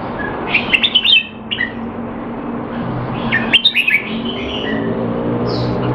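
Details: Caged Red-whiskered bulbul in Singapore during training, not in top form, 25 December 2020; two brief rapid warbled phrases about three seconds apart, with low hum and background noise.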